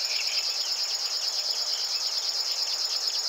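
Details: A river warbler's rhythmic, insect-like buzzing fills the whole stretch, pulsing rapidly and evenly, while other birds add soft twitters and short slurred notes beneath it; recorded at 52.057384, 20.195077.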